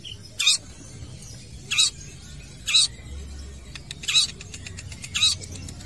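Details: Long-tailed shrike at a football field giving loud, rasping bursts repeated roughly every one and a half seconds, with faint ticking notes between them and a low rumble of background noise.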